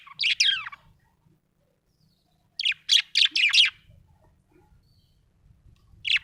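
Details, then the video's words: Happy budgerigar chirping: a scratchy warbled phrase, a pause, then four quick buzzy chirps in a row and one more sharp chirp at the end. "Happy budgie chirping sound"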